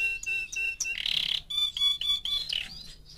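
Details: Canary aged four months singing clear whistled notes with overtones, a short harsh buzzy burst, then further steady whistles and a rising ending.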